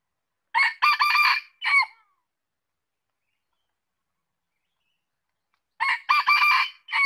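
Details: Red junglefowl giving two crows about five seconds apart. Each is a choppy, hoarse phrase of a few syllables with a clipped final note, and the gap between them is silent.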